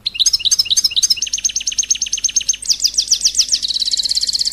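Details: Continuous royal goldfinch song for stimulating singing: lively twittered notes that run into an accelerating series of rapid repeated chirps, ending in a very fast high trill, with no pauses across nearly five seconds.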